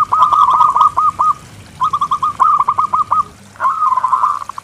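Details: Local zebra dove with a special rhythm and strong voice, a lure for other doves and for birds that will not sing; three bursts of quick clipped notes, the last ending in a rolling trill.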